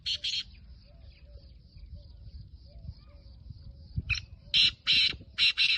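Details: Black francolin, kept as a home-bred bird in Pakistan, giving harsh grating call notes: two bursts at the start, then a louder series of rasping squawks near the end, with low background rumble.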